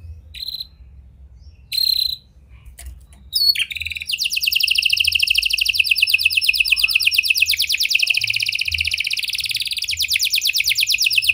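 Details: Canary in full song, used as a lure to get silent canaries singing, with prinia and lovebird style phrases: brief high chirps, then from about four seconds a long, fast, buzzy trill of repeated notes running steadily to the end.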